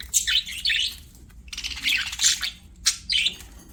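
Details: Budgies singing during play: three bursts of bright, twittering chirps and burry warbles, each lasting about a second with short silences between.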